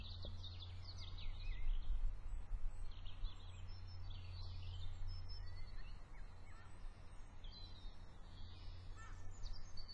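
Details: Several birds chirp together: thin high twittering notes and short slurred whistles scattered throughout, over a loud steady low rumble of background noise.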